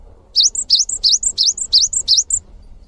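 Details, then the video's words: A cinereous tit sings a quick series of six high, bright two-part phrases, a sharp swooping note and then a short thin one, about three a second. "GELATIK BATU GACOR | WUCIT PANJANGNYA BIKIN GELATIK LAIN JADI TERPANCING UNTUK IKUT BUNYI"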